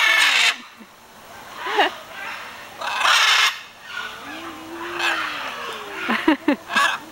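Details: Macaw near Iguazu Falls, Brazil, in January, behaving playfully: harsh, raspy screeches in loud bursts every second or two, with a low, voice-like sliding tone between them.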